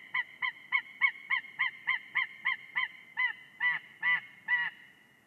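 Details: On a live nest camera in Ķemeri National Park, Latvia, white-tailed eagles mating at the nest give about fourteen ringing yelps, quick at first, then slower, longer and louder toward the end.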